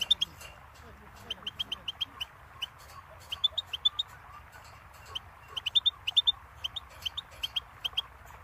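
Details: Goldfinch song meant for tutoring chicks and songbirds, a string of quick tinkling chirps in clusters and then scattered single notes, over a faint steady background hum.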